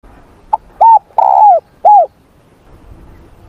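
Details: Morning voice training of a spotted dove: a single phrase of a short opening note and three mellow coos, the middle one longest and gently falling, followed by quiet background.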